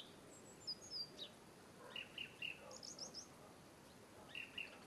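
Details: European robin (Erithacus rubecula) giving short, thin, high-pitched call notes in small clusters of two or three, some brighter and higher than others, separated by brief pauses over a soft, steady background hiss.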